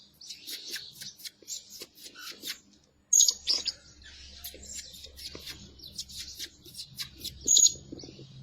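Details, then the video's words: Blue-crowned hanging parrot kept as a lure bird, said to call day and night; thin, shrill high-pitched notes in rapid bursts, with two louder piercing calls standing out, and faint low rumbling behind. "Denak Pemikat Burung Serindit Rajin Siang Malam Berbunyi"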